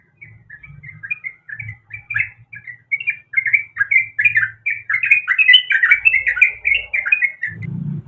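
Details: Female trucuk, or sooty-headed bulbul, in heat calls the male with a long, lively series of quick, warbling chirps that grow louder and denser, then end in a burst of low noise.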